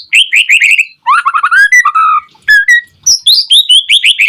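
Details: Fast White-rumped shama song played to goad other shamas into singing: rapid repeated chirps, then descending melodic whistles, and a bright high twittering run at the end.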